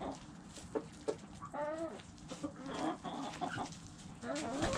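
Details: Chickens eating make repeated short clucks and a drawn harmonic moan amid irregular pecking taps and rustling.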